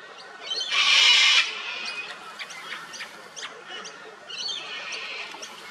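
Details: Australian sulphur-crested cockatoo feeding on honey at an old dead tree: one loud grating screech lasting under a second, followed by sharp clicks and softer harsh notes over a bird-chatter background.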